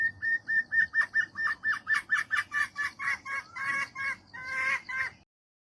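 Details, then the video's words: A female jungle fowl calls for a mate with a steady series of about fifteen clucking notes, roughly three per second. The notes grow harsher and louder toward the end and stop abruptly. "เสียงไก่ป่าตัวเมียร้องหาคู่| The sound of a female jungle fowl cries for a mate"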